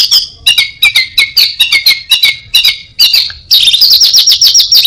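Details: Singing orange-headed thrush imitating other species and a cat, delivering a rapid series of sharp stacked chirps at even spacing, then switching to a dense high trilling run near the end.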